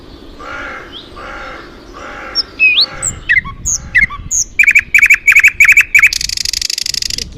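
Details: Bird song amid flowers: several voices mix, first soft harmonic notes repeated about every 0.7 seconds, then a sharp rising whistle, a rapid series of bright clipped chirps, and a high buzzy trill at the end; faint music in the background.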